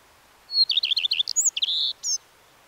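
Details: Single Common redstart song: a thin opening whistle, a run of five quick repeated rolling notes, then a mix of high whistles and a sustained buzzy note ending the phrase.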